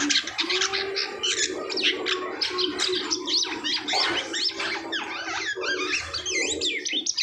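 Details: Asian pied starling after the moult, singing a rich medley of squawks, rattles and upward-sweeping whistles, with low chuckling notes running beneath, the song continuous.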